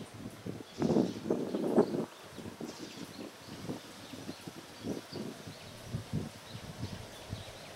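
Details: Japanese pygmy woodpecker chiselling a fresh nest cavity in a willow, Katsurazaka, Kyoto, Japan, March 2021; a loud rapid flurry of woody taps near the first two seconds, then scattered softer knocks, distant birds faintly calling.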